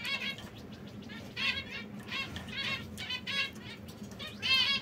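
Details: Several caged canaries, brown, red and yellow, repeating short, buzzy chirps roughly every half second to second, fairly soft, with one louder call at the end and faint background rustle.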